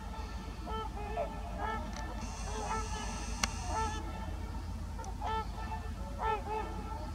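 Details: Several trumpeter swans at Heber Springs, Arkansas, give deep, horn-like honks, overlapping in loose bursts roughly every second, over a steady low rumble of wind.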